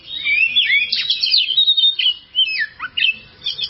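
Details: Kacer, the oriental magpie-robin, singing a training song (masteran) meant for caged birds that sing poorly: rich, varied whistles and quick slurred trills flow almost without pause, then break into shorter sharp notes.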